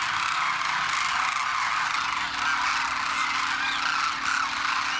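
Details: Wild Demoiselle Cranes wintering at Khichan Village, Rajasthan, India, first-year juveniles with adult parents after migrating across the Himalaya, a huge flock taking off; dense, continuous chorus of overlapping rolling, trumpeting calls with no gaps, plus a faint steady low hum.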